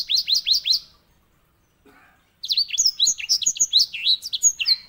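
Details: White-rumped seedeater, locally edel sanger, giving a master song for canaries. Four repeated upslurred whistles, a pause, then a fast, varied run of chirps and slurred notes.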